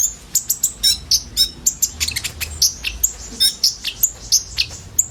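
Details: Several common ioras pouring out a song of mixed borrowed notes, used to attract sunbirds: rapid, thin, high chirps and twitters tightly packed and nearly unbroken.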